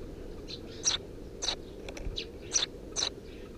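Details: Softer chirping from three Eurasian tree sparrow nestlings under a house roof, 2 June 2017: several short high notes spaced unevenly, a couple of faint clicks midway, steady low hum behind.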